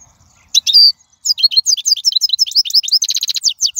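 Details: Wild European goldfinch singing, a recording meant for training young goldfinches: one sustained high note, then a dense, rapid run of tinkling, slurred twitters and a fast buzzy trill.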